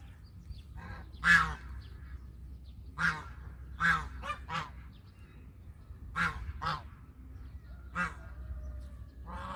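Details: Domestic goose calling repeatedly, about ten nasal honks, some given in quick pairs, spread irregularly over several seconds.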